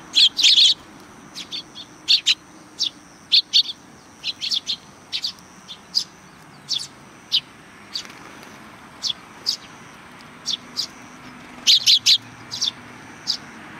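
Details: Several sparrows welcoming arrivals at a Tenmangu shrine in July 2020: short, high, bright chirps in loose bursts, some doubled or tripled, with brief quiet gaps between flurries.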